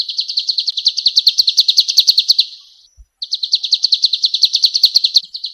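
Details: Male golden-bellied gerygone in lively song, recorded as a master for training birds: two runs of rapid, high, ringing notes, each around two seconds long, separated by a short silent gap.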